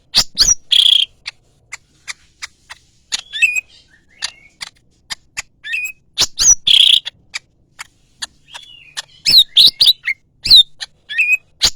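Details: Yellow-headed greater green leafbird giving long loud bursts of harsh chirps and slurred twitters, separated by sparse soft ticks, with a short rasping buzz in each burst.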